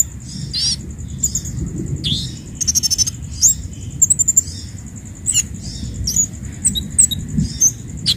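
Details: Orange-headed thrush singing for training caged birds: bright whistled notes, brief chips and a fast stuttering rattle in varied phrases, accompanied by a steady high tone and low hum.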